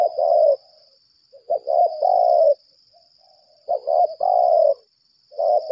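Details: Decoy spotted dove of the lambung kuk type calling in contest: rhythmic low cooing phrases, each a short stutter followed by a longer drawn coo, about every two seconds, over a constant high-pitched whine.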